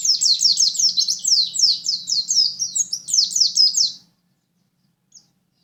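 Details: Pleci from Lumajang pouring out a lively, high-pitched twitter of rapid downward-sweeping notes, roughly two to three per second for four seconds, then stopping, with one last faint chip.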